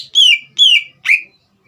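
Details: Green leafbird, used to provoke a young bird into singing, gives three clear whistled notes, each sliding downward, spaced about half a second apart.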